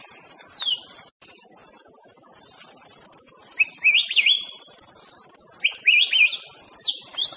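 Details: White-rumped shama song: short whistled phrases in twos and threes, wavering and sliding around the middle-high range, separated by pauses, over a steady high insect drone.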